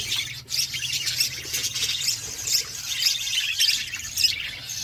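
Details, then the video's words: Flock of budgerigars eating food, giving a dense, continuous chatter of high warbling chirps and squawks with no pauses, many birds calling over one another. "Beautiful budgies flocks birds eating food"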